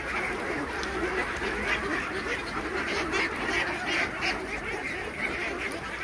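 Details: Large flock of farmed Khaki Campbell ducks at feeding time, roughly 3000 birds, producing a steady mass of overlapping quacks and chatter, a few louder quacks rising above the crowd noise.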